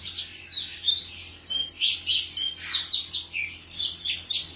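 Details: Male cucak cungkok giving lively chirping song: short squeaky notes strung in quick rhythmic bursts about every half second, over a faint steady hum.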